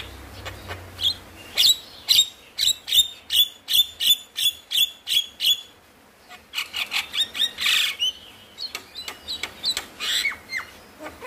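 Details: Javan myna song meant to prompt lazy mynas to sing: a long series of sharp, evenly repeated clicking notes, a brief pause, then denser rattling chatter with a few slurred whistles.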